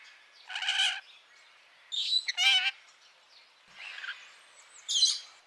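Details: Parrot uttering four separate harsh, nasal squawks, each about half a second long and strongly layered, spaced roughly a second apart with quiet between them.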